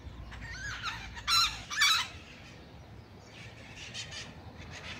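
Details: Pair of free-flying wild Blue-winged macaws together, preening and billing each other: harsh, raspy squawks, two loud ones near the middle, then fainter scratchy calls over quiet background.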